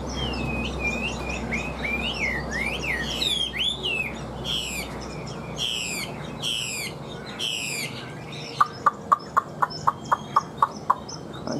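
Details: Caged Chinese hwamei with new plumage and a large build, singing loud, varied whistled phrases that sweep up and down, then a fast run of sharp, evenly spaced clicks near the end.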